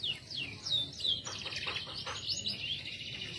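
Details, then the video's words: Male canary singing a lively song of rapid, high downward-sweeping whistled notes that run into a dense, rolling trill, with a faint low background rumble. "kicau kenari jantan gacor"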